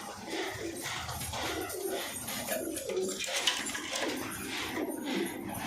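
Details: Domestic pigeons in a loft of a keeper holding about 400 Lal Band and Hyderabadi pigeons, recorded December 6, 2022; soft low cooing murmurs run throughout, mixed with a busy room hubbub and scattered higher chatter.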